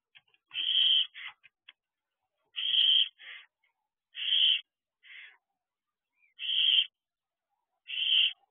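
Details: Several barn owl owlets enjoying the outside of their owl box at 3 am; harsh screechy hisses roughly every two seconds, each often followed by a shorter, quieter rasp from another young bird.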